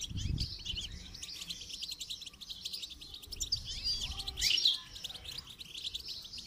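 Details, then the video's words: Goldfinch in song training, giving continuous high-pitched twittering with quick chirps and trills, swelling into a louder, busier burst about two-thirds through; low muffled bumps at the start. "Motivational rewards for training goldfinch to song"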